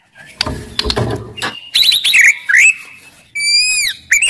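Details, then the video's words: Aggressive white-rumped shama singing to stir other shamas. Rough, noisy sounds open the recording, followed by bright whistles, twisting slurred notes and a long sweeping whistle that falls away at its end. "MURAI BATU GACOR , CEPAT MERANGSANG BUNYI, GACOR & FIGHTER"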